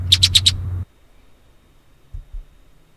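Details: A Red-winged Blackbird in St Joseph or Elkhart County, Indiana, gives four quick, sharp, high chip notes in half a second over a low hum, followed by near silence with two soft low thumps.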